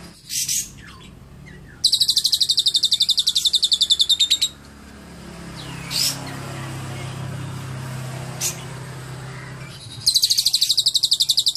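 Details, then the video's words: Lovebird isian cililin, clear: a short high squeak, a fast high rattling trill of about three seconds, a quiet gap broken by two brief sharp chirps over a low rumble, then the trill resumes at the end. "Love bird isian cililin"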